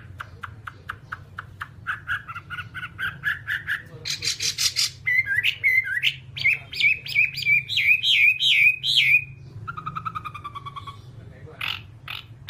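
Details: Whambie song used to train caged birds to sing. It moves through varied sections: rapid ticking, buzzy bursts, looping whistled phrases, and a lower chattering trill, ending with scattered sharp notes over a faint hum.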